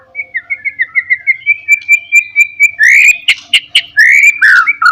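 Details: White-rumped shama singing to lure and provoke rivals: a steady series of short whistled notes, about two or three per second, building into loud harsh trills and a sweeping, downslurred whistle.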